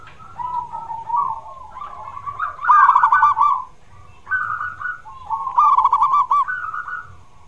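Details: Singing zebra dove, used to encourage a reluctant bird to call: phrases of quick rolling coos that climb and then break into bright stuttered trills, repeated several times over faint low background rumble.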